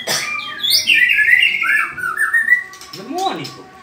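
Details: Caged white-rumped shama in a mental test match, singing a long drawn whistled phrase that wavers and falls, ending with lower swooping notes.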